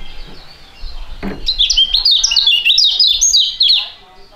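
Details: A pair of young competition songbirds, known for their fighting style, in duet: a dense sequence of bright, shrill, rapidly repeated chirps and whistled slurs for about two seconds, preceded by a single low knock.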